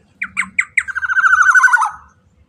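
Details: Sound of a black-naped oriole played to coax other orioles into answering. Four quick rasping notes run into a drawn-out, nasal, quavering squawk that slowly falls in pitch, with faint low hum beneath.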